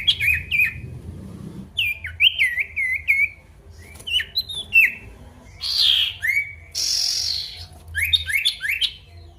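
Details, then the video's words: Lively male pied bush chat calling a rival, used to coax quiet birds back into song; repeated short rising and falling whistled phrases at varying pitch, broken by rasping buzzy bursts, with sharp clicks between. "PANCINGAN SIRTU GACOR MANGGIL LAWAN"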